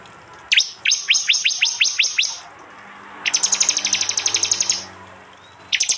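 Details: Prinia from East Java in a phone-recorded 'tembakan' training mix. A series of swept, downslurred chirps is followed by a fast, sustained run of high ticking notes, then a fresh burst begins.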